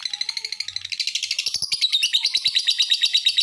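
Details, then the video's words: Rapid high-pitched lovebird chatter, used to provoke other lovebirds to call, with quick pulsed notes about five per second that grow louder and more ringing toward the end; a few faint low knocks underneath. "Suaranya Memancing Labet lain Ikut Bunyi"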